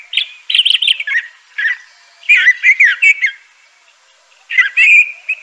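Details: Song of a crissal thrasher (Toxostoma crissale): several short phrases of warbled, slurred notes, each cluster lasting about a second, with silent gaps between and a clear whistled ending.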